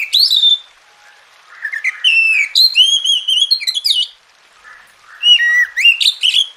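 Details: Masteran of a singing Oriental magpie-robin, meant to make a quiet bird sing: an opening whistle, a soft pause, a long varied run of whistles and trills, then rising whistled notes after a break.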